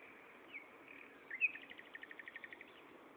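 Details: Nightingale in song at Gaasperzoom, afternoon of 16 May 2012: a few soft notes, one sharp upslurred whistle, then a fast even series of about a dozen clipped repeated notes.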